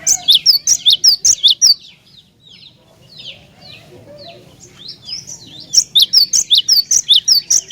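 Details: Cinereous tit calling out repeatedly to stir other tits to sing, with a fast series of strident high double notes opening and closing the clip and quieter twittering in between.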